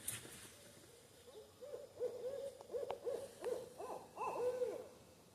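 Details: A Great Horned Owl in the woods on a hot day, calling to others nearby, gives a run of deep, soft hoots in quick succession.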